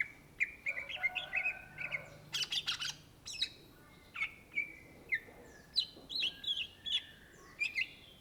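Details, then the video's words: Cucak Ijo, the greater green leafbird, delivers a long varied 'gacor' song: short whistles, rasping bursts and high twittering notes, spaced by brief pauses, in otherwise quiet surroundings. "SUARA BURUNG CUCAK IJO GACOR , TELER"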